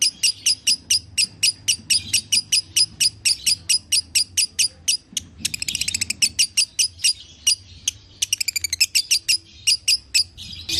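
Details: Lovebird played to prompt a caged bird to sing again: rapid series of sharp, high chirps repeated several times a second, broken by two bursts of fast buzzy trills, with a faint low hum underneath.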